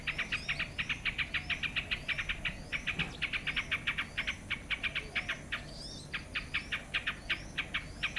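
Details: Yellow-vented bulbul giving rapid, chattering chips, close-spaced short notes repeated almost without pause for eight seconds, briefly broken by a higher rising note, with a quiet background hum.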